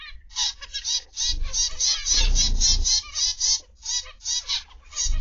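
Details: Zebra finches in an aviary: a rapid, uneven series of short nasal, trumpet-like beeps, several per second, over a low rumbling background.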